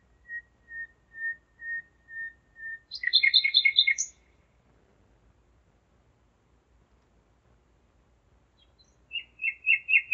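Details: Common nightingale singing at 01:55 at night on 5 May 2017 in Zeitz, Germany: six slow, pure whistled notes swelling in loudness, then a fast doubled trill, a pause, and a new rapid trilled phrase beginning.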